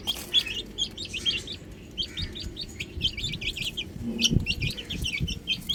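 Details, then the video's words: A group of chicken chicks on a roof peeps busily, quick high descending notes in rows and overlapping runs, with a soft low thump near the end. "Adorable Chicks Chirping Sounds"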